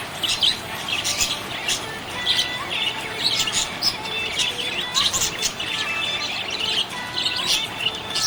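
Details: Budgerigar chirping happily, a continuous chatter of quick high chirps, squeaky warbles and buzzy notes, some overlapping, with thin tonal lines beneath suggesting faint music.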